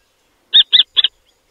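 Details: A female kestrel back at her nest calls, seemingly sensing a threat: three sharp, high, scratchy 'kee' notes in quick succession, about a fifth of a second apart, against a quiet background.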